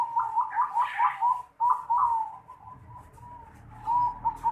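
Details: Zebra dove (perkutut) with an unusual 'noklak' style call, recorded 11 December 2020: a run of short, clear cooing notes repeated quickly at a steady pitch. A pause follows, then longer drawn-out coos in a quiet room.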